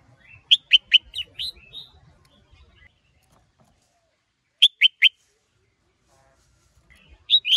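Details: Red-whiskered bulbul male stirred to sing by a female, in the hot sổ bọng and hót ché styles: short bright chirped phrases in quick bursts of three to five notes, separated by pauses, then a final burst.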